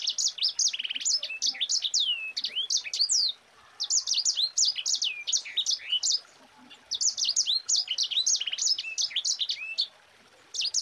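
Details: Dense rolling 'ngerol rapat' song of a Mozambique canary: long runs of high looping whistled slurs and twitters delivered rapidly in three sustained bursts with brief pauses between.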